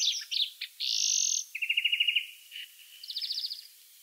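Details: European greenfinch, free bird, producing a harsh drawn-out buzzy wheeze followed by rapid trilled series at two pitches, with scattered twitters.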